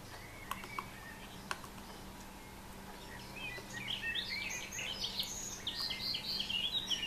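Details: Great spotted woodpeckers, adult female and juvenile, at a nest cavity, Üröm, Pest County, Hungary, June 2014: a few sharp scattered taps, then a dense high chatter of quick chirps building through the second half, over faint hum.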